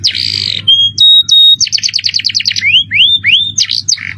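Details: Canary training master in fancy cengkok style with jerih voice: a harsh buzzy burst, two clear level whistles, a rapid run of chips, then three rising sweeping whistles and sharp notes, backed by a faint hum.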